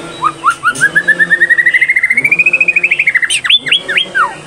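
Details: Captive-bred third-generation straw-headed bulbul in full, active song with learned fill-in phrases: a long run of quick clear whistled notes climbing steadily in pitch, then a few loud sweeping slurred notes, over a steady low hum.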